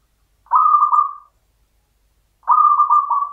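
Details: A champion local zebra dove, or perkutut, gives its Mataram-style song: two rolling, slightly pulsed coo phrases about two seconds apart, clear against near silence.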